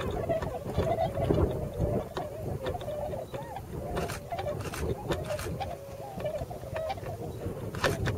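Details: Wintering tundra swans in the rice-field countryside of the Nogi plain, Hakuta, Yasugi, Shimane, Japan, a flock of several hundred come from Eurasia; many overlapping mid-pitched wavering calls form a steady chorus over a low rumble.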